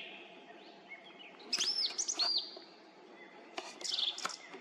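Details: Song thrush on a roadside treetop near Zarechny, evening of 18 April 2021 at 18:50; loud bursts of high whistled and slurred notes separated by short pauses.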